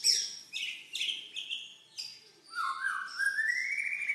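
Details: White-rumped shama song to spark singing in quiet birds: a string of short, varied whistled notes, then a long warbling whistle climbing steadily upward over faint background hiss.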